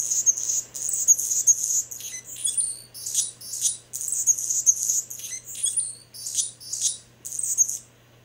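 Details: Anna's Hummingbird song on Vancouver Island near Victoria: a very high, thin, scratchy, wavering song of short buzzy bursts, repeated almost without pause, over a low steady hum.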